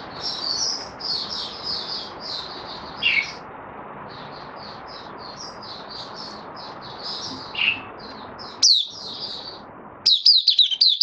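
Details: Caged white-eye (mata puteh) in open "buka" singing, 18 May 2022, after a course of deworming and health supplements; high thin chirping phrases, soft at first, then a sharper burst of twittering notes near the end over faint background hiss.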